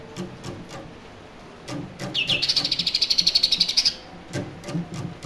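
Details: Captive young greater green leafbird from Berau, hand-raised and still learning its song from a phone. A short buzzy high trill of quick regular pulses lasts under two seconds, with faint clicks and knocks around it.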